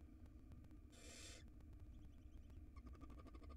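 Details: A tiny wild barn owl nestling in a monitored nest box, swallowing a rodent's tail, gives one short, harsh, breathy hiss of about half a second over a steady low rumble, followed by faint rapid clicking.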